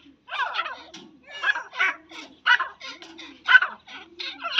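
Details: Kept female grey francolin repeating coarse, grating call notes roughly once per second in an uneven series, with a soft low tone beneath.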